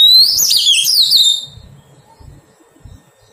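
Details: Oriental magpie-robin caught from the wild and being tamed opens with a bright, tumbling, warbled phrase of quick up-and-down whistles lasting over a second. Quiet follows, with only faint low thumps.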